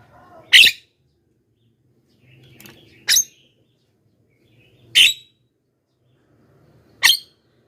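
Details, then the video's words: Call of a Javan myna for luring wild birds: four sharp, raspy notes spread over several seconds, with faint low rumbling between them. "suara BURUNG JALAK KEBO,gacor menggelegar,semua jalak kebo auto nyahut"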